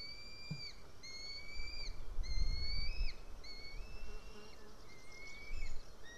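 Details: Juvenile female white-tailed eagle, probably not yet able to fly, screaming loud and close near the nest while her mother eats a fish, 8:36 am, 8 July 2018; thin, drawn-out whistled screams, slightly rising, repeated in a quick uneven series over low rumbling noise.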